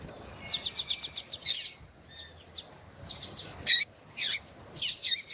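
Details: Female Double-collared Seedeater calling to heat up a male: a quick row of short high ticks running into a buzzy note, then scattered twisting chirps and single clicks.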